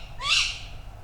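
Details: Single harsh, screechy, rising call about half a second long from a resident Tawny Owl over a faint low rumble, in August woodland at Padarn Park, Wales, on an overnight drop-rig recording in a rainy period; finding: Tawny owl.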